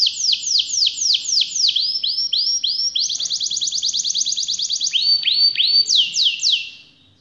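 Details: Canary song with long rolls, used to prompt other canaries: falling whistled notes, then a fast even trill, then further swooping notes before fading out.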